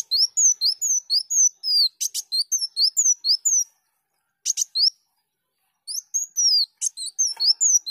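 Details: Kolibri daun song used for training songbirds: rapid high thin chirps and slurred whistles in dense bursts, with short sharp clicks between phrases and brief pauses.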